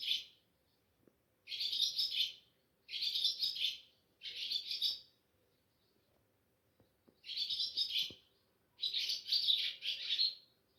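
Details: Swallow, called Ababil, chirping at a home around Sehri before dawn on a moonlit night, recorded on a mobile; six high, harsh, buzzy trill bursts of about a second each, with clean silences between and faint clicks.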